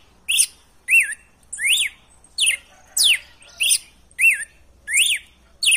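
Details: Wild-style red-cowled cardinal song, used to excite a captive male into singing: a loud steady run of about nine crisp whistled notes, arched or steeply falling, with sharp high edges, spaced around two-thirds of a second apart.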